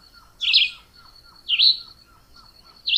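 Chivi vireo singing short, rich warbled phrases about a second apart, over a steady high insect-like whine and soft repeated low chips.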